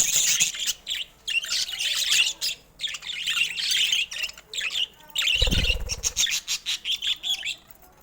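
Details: Pet budgerigars give high scratchy warbles and squawks in uneven bursts. A low thump sounds midway, and the clip ends with a string of short evenly spaced chirps.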